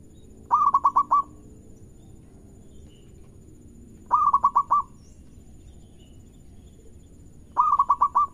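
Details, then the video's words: Local zebra dove, sung to prompt other birds to join in: three phrases about three and a half seconds apart, each a fast series of five or six low pulsed coos ending on a held tone. "Perkutut Lokal Gacor Irama Merdu Bikin Lawan Ikut Bunyi"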